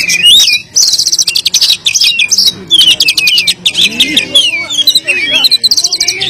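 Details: Oriental magpie-robin song with many mixed-in phrases, loud and persistent, played to get silent magpie-robins singing: rapid trills, buzzy rattles and whistled slurs in a dense, nonstop stream, slightly distorted.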